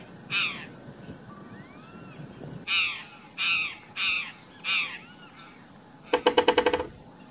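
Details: A flock of curl-crested jays gives loud, harsh, crow-like caws then a quick knocking rattle, near two drumming woodpeckers by the Pau Furado reserve, Uberlândia, Brazil; the birds were marking territory, with no confrontation.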